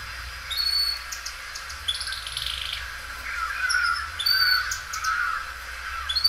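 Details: A well-kept Belgian canary, a loud singer that stretches its song, sings a run of bright whistled notes and quick rolling trills, high and clear, with short pauses between phrases over faint room hiss.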